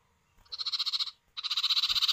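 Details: Male and female common iora answering one another, used as a lure to set other birds calling: two long buzzy trills of rapid even pulses, separated by a brief pause.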